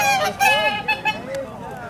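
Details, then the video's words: A pair of Orinoco geese in a private collection in Holland, seen on a bird association excursion, giving short, nasal, honking calls in a quick series, with loud crowd chatter behind. "Orinoco Geese"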